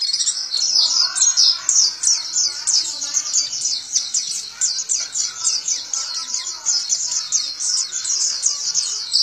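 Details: Captive Indonesian pleci white-eye (Zosterops) in full ngalas ngeroll song, open-beaked: a long unbroken stream of very high, quick slurred chirps repeated in rolling runs, with faint lower background sounds.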